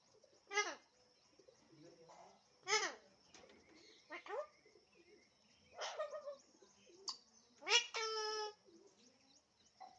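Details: Talking Alexandrine parrot giving separate raspy, harmonic word-like utterances every couple of seconds, a short sharp click-like note, and a final longer drawn-out nasal phrase, over faint background hiss.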